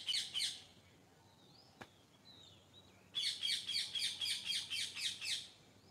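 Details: Birds singing in the morning: a short burst of rapid, high chirps, then a few thin whistled slurs, then a longer run of about ten evenly spaced, bright chirping notes over a quiet background.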